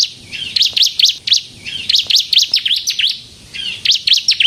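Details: Bar-winged prinia of the crystal type singing energetically to draw other prinias into song: bursts of high, sharp zigzag notes in quick groups, separated by brief quiet gaps.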